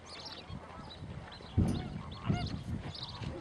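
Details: Flamingos at Laguna de Fuente de Piedra in Andalusia: two short, loud, nasal goose-like honks stand out above a soft background of distant flock chatter and murmuring.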